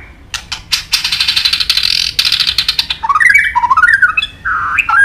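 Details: White-rumped shama training song: loud harsh rattling clicks, then varied warbled whistles rising and falling, ending in a short buzzy phrase.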